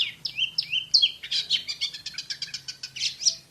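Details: Champion Oriental magpie-robin singing in the rapid 'tembakan' style: a few sweeping whistled notes, then a fast, dense run of sharp, high chips repeated several times a second, ending on a bright upslurred whistle, with faint low hum.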